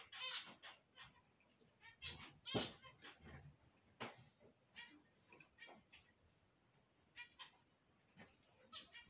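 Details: Zebra finches on waking give scattered short nasal beeps, spaced irregularly with quiet gaps between them, with one louder honking call near the middle and faint background rustling.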